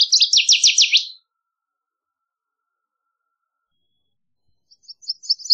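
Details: A Northern waterthrush sings one rapid burst of emphatic, high, slurred chips lasting about a second. After a long silence, the next phrase begins with quieter staccato notes.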